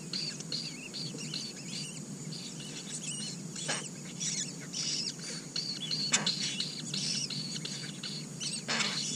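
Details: Asian koel chicks, four sharing a red-billed blue magpie nest, call with fast runs of high, thin squeaks in pulsing clusters, broken by a few loud rustling knocks, above steady hiss.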